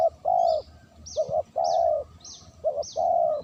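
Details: Spotted dove calling for luring, a rhythmic alternation of short and long hollow coos in a regular sequence, with a faint, evenly repeated high chirping from another bird behind.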